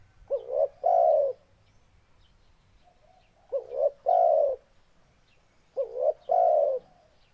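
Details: Spotted dove repeating its song three times, each phrase a short bouncing rising note followed by a longer, louder descending coo, evenly spaced about every two and a half seconds.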